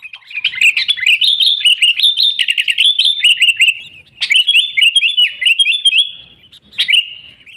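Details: Sooty-headed bulbul in full song, played as a lure to trap wild bulbuls; rapid run of chirpy, liquid warbled notes with short slurs, two long phrases broken by brief pauses, clean recording.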